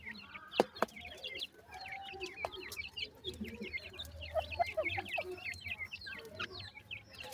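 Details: Young francolins peep continuously, many brief high falling notes crowding together, with occasional sharp taps and a low hum beneath.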